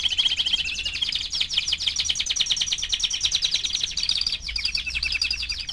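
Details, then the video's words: Young canary four months old singing a continuous rapid trill of high chirping notes, the rolling phrases changing speed and pitch, over low background hum. "Кенар №1 ( 4 месяца)"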